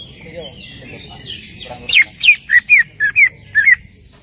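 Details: Lure song of a greater green leafbird meant to set another bird singing. Soft warbled notes give way to a series of seven loud, clear, downslurred whistles in quick succession.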